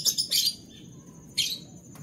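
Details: Canary in the morning giving bright, high chirped notes in two quick bursts, then another burst after a short pause, over a low background hum.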